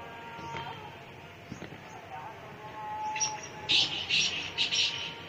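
Black francolin giving a burst of harsh, grating, clipped notes in quick succession near the end, over a steady background hiss.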